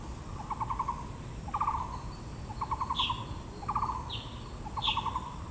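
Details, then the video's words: Blue magpie at Yangmingshan Park in Taipei beside azaleas, sounding five clattering pulse bursts about a second apart, with a few short high notes near the end and constant low ambient noise. "台北 陽明公園 (藍鵲+杜鵑花)(Natural sound)"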